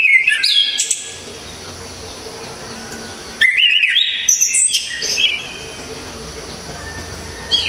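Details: Sharp, very clear whistling from an Orange-headed thrush: an opening burst of fast sweeping notes, a pause, then a longer dense phrase of rising and falling whistles, and a short note at the end.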